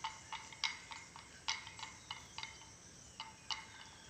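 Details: A tame pet ornate lorikeet, a bird that can also talk and whistle, gives short, sharp, ringing chirps at an uneven pace, about a dozen in four seconds, over a quiet background hiss.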